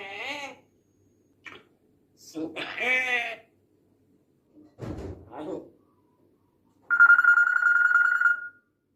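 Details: African grey parrot talking: several short speech-like phrases with breaks between, a low thud, then a long steady whistled tone lasting over a second at the end.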